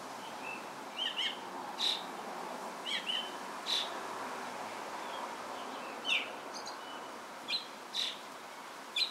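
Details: Austral thrush singing at Ancud, Chiloé, on 12 December 2016. Short sharp whistled notes come in small clusters about every one to two seconds, some dropping in pitch, over constant soft background noise.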